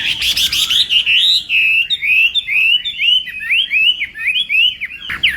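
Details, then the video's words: Chinese hwamei singing during morning voice training: a scratchy opening burst, then a steady sequence of clear, swooping whistles that rise and fall in pitch. "Hoạ Mi Hót Đấu /hoạ mi hót sáng luyện giọng kich bổi sổ giọng chim hót hay mỗi ngày/"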